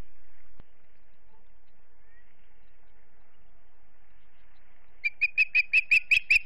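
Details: At the Charlo, Montana osprey nest before sundown, near silence gives way to a sudden string of about eight high whistled chirps, rapid and rising in loudness toward the end.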